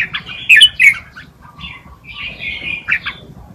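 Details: Red-whiskered bulbul tutor song meant for young birds, two bursts of chattering, slurred whistles separated by a quieter gap, a faint low tone in the background.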